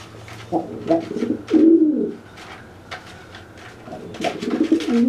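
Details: Pigeon after a bath, the dry bird cooing and making itself look bigger to threaten a wet one; deep rolling coos in bursts about a second long, amid sharp taps and fluttering sounds in a small room.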